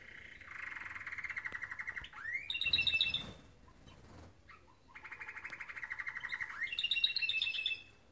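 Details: Morning canary song with rolling trills and a rising whistle, followed by a high bright twittering phrase, the pattern repeating twice, with some faint background noise.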